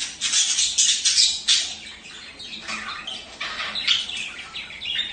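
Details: Budgerigar vocalizing to stimulate mating: rapid, rasping squawks and scratchy chirps tumble in a fast, uneven series, softening in the middle before picking up again.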